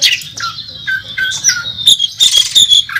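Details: Oriental magpie-robin on a contest track, a national champion singing with imitations: sustained high whistled tones and short falling notes, ending in a dense scratchy burst of chatter.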